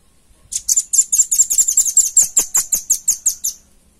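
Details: Velvet-fronted nuthatch, a clear recording meant for training other birds: a rapid trill of high, sharp chirps, about sixteen notes over three seconds, steady in pitch and slightly slowing toward the end.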